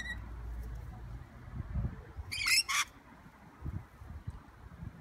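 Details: Wild rainbow lorikeet in Sydney giving a loud, grating double screech midway, two harsh bursts close together, with faint chirps at the start and a low urban traffic rumble throughout.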